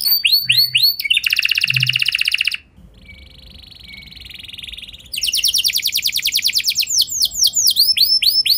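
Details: Canary lure song with long rolls: swooped whistles, a loud buzzy rattle, a quieter sustained trill, then more rapid rolling notes and whistles.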